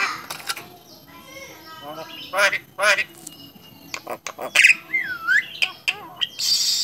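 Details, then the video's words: Contest-champion talking starling giving a jumble of harsh squawks, clicks and chattering syllables, with one looping whistled phrase near the end. "Burung Jalak Bisa Bicara.. Juara Kontes"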